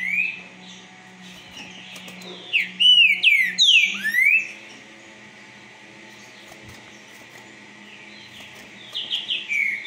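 A green-winged saltator sings a fast burst of loud, rich whistled notes sweeping down, then a brief phrase again near the end; a low steady hum underneath.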